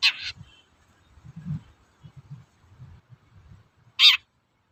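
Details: Toet-toet call of a long-tailed shrike, played to stir other shrikes to sing: a harsh, grating note at the start and another near the end, separated by soft low knocks and handling sounds.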